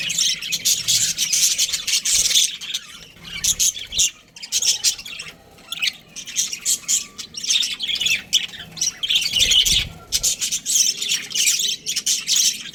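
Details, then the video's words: Breeding pair of Australian budgerigars chattering: dense, scratchy high chirps and squawks in fast, continuous bursts, with two short pauses near the four- and nine-second marks. "Australian budgies breeding pair | Budgies chirping sounds"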